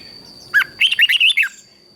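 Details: Thai red-whiskered bulbul song in southern master style, played to excite other cage bulbuls: a single lower note, then a rapid run of five bright, warbling whistles within about a second, over a thin steady high tone.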